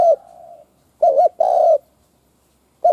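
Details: Decoy spotted dove cooing to draw in wild doves: a fading tail note, then a wavering double coo followed by a long, steady, slightly falling coo, with the start of another phrase at the end.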